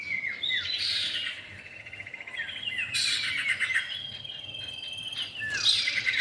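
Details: Lure sound of a male and female common iora: two downslurred whistles, then bursts of dense high twittering alternating with quieter stretches, over a steady shrill background drone.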